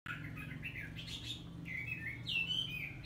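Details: A female hwamei that has gone through three moults, used to stimulate males, gives bright whistled and chattering notes, some sliding up and down, over a steady low hum.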